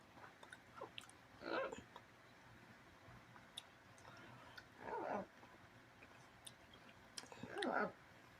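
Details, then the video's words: Amazon parrots giving three harsh, raspy squawks spaced a few seconds apart, each a short noisy burst, with small clicks and quiet room background between calls. "Amazon Parrots"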